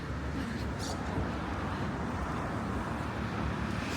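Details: Steady roar of passing vehicles and road traffic during a seafront walk in Malaga, Spain, with no animal voices heard.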